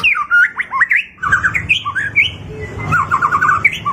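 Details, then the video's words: White-rumped shama singing to stimulate a silent bird: varied whistled and squawky notes with a short fast rattle, over a rumbling low background noise. "Suara Burung Murai Batu | Pancingan Atasi Stres Malas Bunyi Cepat Respon"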